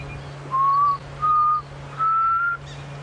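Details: Black cuckoo, singing far off at sunrise in November on a safari drive at Djuma Game Reserve, gives three pure, mournful whistles, each slightly higher than the last, over a steady low engine hum.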